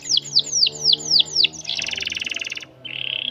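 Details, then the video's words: Long-roll canary song meant as a teaching model for young birds: six quick downward-sweeping whistles, then a dense rapid roll, a short pause, and a thinner steady trill at the end. "KENARI GACOR ROL PANJANG cocok untuk masteran paud"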